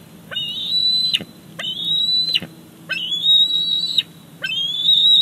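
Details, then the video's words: High, thin squees from a bald eagle chick begging as a parent arrives with a fish at Big Bear Lake: four long whistled notes, each starting with a rising flick and ending in a sharp fall. "Simba in for Mom's fish delivery."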